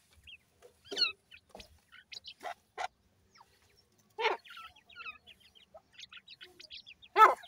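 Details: Young francolin chicks under hand-rearing give scattered high, thin peeps and short upward chirps in quick irregular runs, with quiet gaps between them and a few sharp knocks and scuffles.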